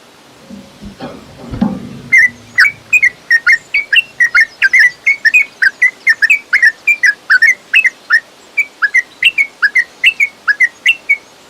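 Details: Yellow-vented bulbul, a lure recording to make a caged bird sing aggressively: after a low knock and rustle, a long run of sharp, slightly varied chirps about three per second, steady and bright throughout.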